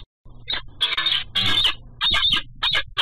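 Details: Female peregrine falcon incubating eggs in a nest box, about 1:40 PM on April 11, is startled, leaves the nest and gives harsh, grating alarm calls in short bursts, about two a second, off camera to alert her mate, under a low hum.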